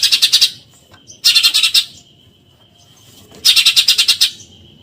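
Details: 'Tembakan nyerecet' from a Eurasian tree sparrow, a tutor track for contest songbirds: three quick-fire bursts of grating, buzzy chirps, each around eight notes, with a thin steady high tone in the pauses.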